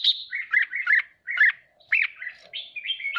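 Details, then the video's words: Red-whiskered bulbul singing to provoke rival birds: lively run of clear warbling phrases, swooping notes repeated nearly twice a second with brief gaps, bright and chattering, no other sounds. "Chào mào hót kích bổi ức chế căng lửa hót ché"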